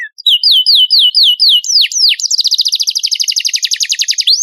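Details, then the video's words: Canary song used as training material for contest birds: repeated falling whistled slurs, then two deep swoops and a long, fast, steady trill of sharply falling notes. "MASTERAN KENARI GACOR FULL MATERI KOMPILASI BURUNG ISIAN JUARA LOMBA"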